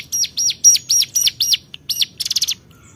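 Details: Hill prinia calling out to rivals with loud arched notes at a quick pace, one weak note mid-series, then a fast buzzy trill of clipped notes to close.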